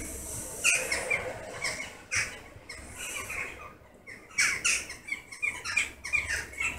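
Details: Evening roost of western jackdaws in August, flocks circling and breaking into small groups before settling; scattered harsh chattering calls come in bursts, some quieter gaps between, many birds calling at once.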